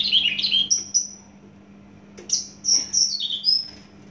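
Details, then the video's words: Javan bush lark of Javan origin, kept in a cage, producing scratchy descending notes and clear high whistles in two short phrases, with a low background hum. "branjangan javanica asli jawa volume dan spedd edan mantap"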